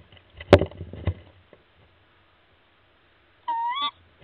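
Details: At a nest high in a mature sycamore in Gweek, Cornwall, UK, where a female Tawny Owl is raising three newly hatched owlets, one short, wavering, slightly rising nasal call comes after two dull knocks and a brief rustle.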